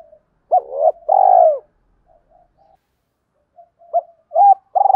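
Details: Lure spotted dove cooing to bring wild doves in quickly: a clipped hoot and burring coo, a long vibrating falling coo, soft scattered murmurs, then hollow hoots building into another coo.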